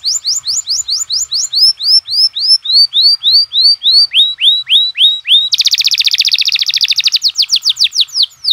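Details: Canary singing tembakan for masteran training of other canaries: a long series of bright rising whistles, some lower and fuller midway, breaking into a fast buzzing roll that slows again into sweeping notes.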